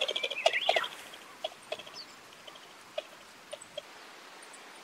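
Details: Common pheasant giving a quick burst of harsh, clucking notes in the first second, overlaid by a thin, high, wavering whistle, then a few scattered faint clicks against a quiet background.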